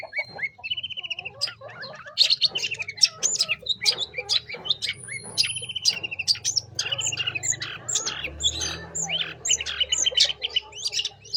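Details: Busy long-tailed shrike song used to call in young wild shrikes, a jumble of clicks, chirps and brief whistles, with a steady low background hum.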